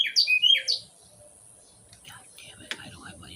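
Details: Male Carolina wren in Ocala National Forest, Florida, calling to a person it visits daily, wanting mealworms or attention: a quick run of bright, rolling whistled notes under a second, faint background noise and soft voices.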